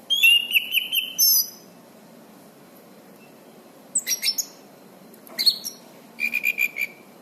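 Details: Orange-banded thrush in full song, recorded as master material for teaching other birds: three short bursts of high chirps and whistles, the first a quick repeated trill, separated by pauses of faint background hiss.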